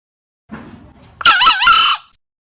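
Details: Chicken crow, loud and distorted: a faint low start, then a harsh, wavering, bright crow of about three quarters of a second.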